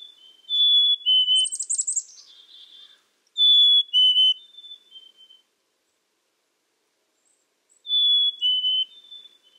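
A black-capped chickadee whistles its clear two-note song, a higher note dropping to a lower one, three times with pauses. A brief high buzzy trill sounds early on.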